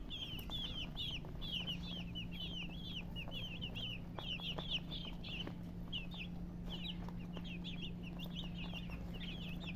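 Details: Young chicks peeping busily, short shrill downslurred chirps repeated several times a second in bursts with brief gaps, over a soft steady hum.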